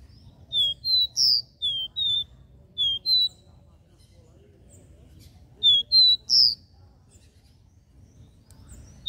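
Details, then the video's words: Regional three-note 'dó ré mi' song of a capped seedeater: two long phrases of clean whistles with bright accented notes, a second shorter burst after a pause, and low-level hum throughout. "CANTO DO CABOCLINHO DÓ RÉ MI 3 NOTAS REGIONAL"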